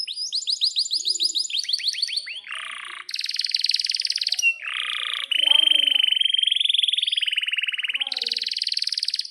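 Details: Long-rolling canary song for training young canaries and birds that have stopped singing: a series of quick descending whistles, harsh buzzy bursts, then extended rapid rolls of very fast repeated notes held for several seconds.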